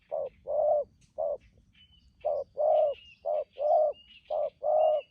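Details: Wild-caught spotted dove used as a decoy, cooing in 'thúc gù' style: short then longer low hollow notes paired and repeated, while small birds twitter high in the background.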